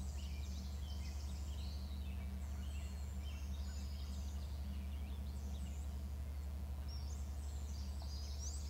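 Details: An eagle on its nest gives fast, high-pitched staccato chatter in clustered bursts, pausing briefly mid-clip before resuming, with a constant low hum running underneath.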